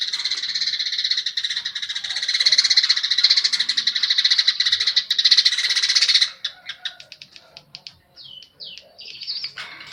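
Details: Baya weaver in full song with mimicked house sparrow notes: a long harsh, wheezing sizzle of fast pulses for six seconds, then scattered short chirps and quick downslurred whistles.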